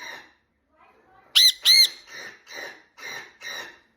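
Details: A sun conure, on hearing its own kind, gives two loud, shrill, ringing screeches, followed by a run of softer, raspy squawks.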